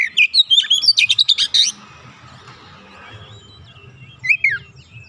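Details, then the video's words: Oriental magpie-robin, a trained bird, opening with a fast run of sharp chattering notes and whistles, then falling mostly quiet before one final downslurred phrase. "KACER bahan langsung ikutan gacor"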